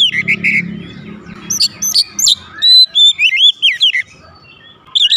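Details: Home-kept oriental magpie-robin answering straight away, singing loudly and prolifically: loud high whistles, upward sweeps and warbled notes in quick bursts separated by brief pauses, over a low rumbling hum near the start.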